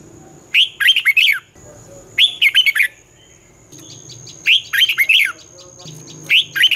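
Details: Red-whiskered bulbul singing its twisting-style song, used to teach young birds: a steady series of bright, looping whistled phrases about every two seconds, with low background rumble and a thin continuous high tone.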